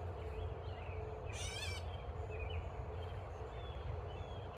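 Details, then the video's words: One coarse, nasal squawk from a catbird scolding a man, followed by soft scattered chirps from other birds over low steady outdoor noise. "Catbird Squawking at my Dad"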